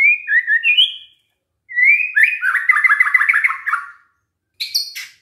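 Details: Song of a white-rumped shama played to provoke other shamas into answering: clear whistles, a pause, then a rising whistle into a quick rolling trill, and a final harsh burst.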